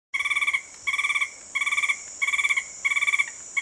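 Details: Alto Pisones Tapaculo (Scytalopus alvarezlopezi), then undescribed, sings in Tatamá National Natural Park, Colombia: short, mid-pitched stuttering bursts of about eight quick notes, each half a second long, repeated steadily over a constant high insect hiss.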